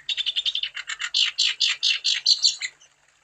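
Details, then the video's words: Energetic wambi song as a singing lure: a steady stream of fast, scratchy, buzzy chirps, about five each second, swelling louder midway and stopping abruptly near the end. "Burung Wambi Gacor Untuk Umpan Supaya Wambi Anda Tambah Gacor"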